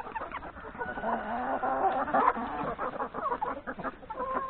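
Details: Flock of hens and three roosters having breakfast in a yard before going to the forest to graze; dense overlapping clucks and soft murmuring calls from many birds, with a few sharper notes rising above the chatter.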